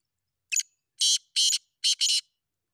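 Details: Black francolin (Francolinus francolinus), a large Sindhi bird, gives a harsh, grating call: a short clipped note, then three loud rasping notes, the last one doubled, all within two seconds.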